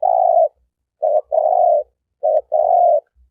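Turtle dove cooing: a low, hollow coo, then two phrases each of a short note followed by a longer one, with a brief pause between.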